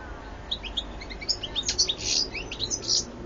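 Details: A 2014 recording of a European goldfinch in full song, a running chatter of sharp rising and falling chirps mixed with brief buzzy, rattling notes, delivered fast and without pause.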